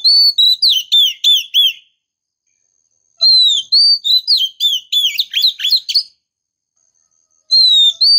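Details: Oriental magpie-robin female luring a male: rapid series of bright whistled notes, each dipping and rising, delivered in quick phrases separated by pauses of over a second.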